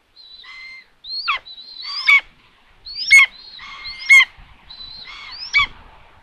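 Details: Common buzzard at a nest cam site in Tiszalök, Hungary, June 21, 2022, as food arrives at an empty nest; clear, repeated high whistled mews that hold steady then fall steeply, roughly one per second, in an otherwise quiet background.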